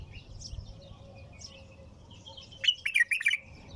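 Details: Bulbul singing nonstop in the style called tur: after faint, scattered high notes, a loud burst of quick, bubbling, warbled notes near the end, with a steady low hum underneath.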